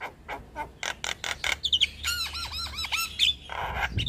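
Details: Javan myna master song with varied fills for young birds: rough squawking notes, then a sequence of bouncing, dipping whistled slurs repeated quickly, ending in a harsh burst.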